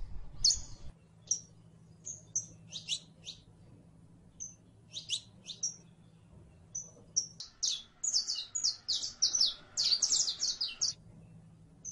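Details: Saffron finch, locally called canario criollo, singing a string of short, high, sharp chirps, scattered at first and then tightening into a rapid jumbled burst near the end, over a steady low hum.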